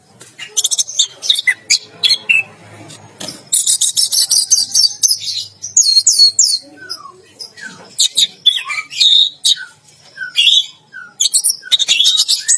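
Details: Singing 'teler gacor' while bathing in a bath cage, an orange-headed thrush produces long sequences of high chirps, buzzy trills and scattered lower whistled downslurs, almost without pause.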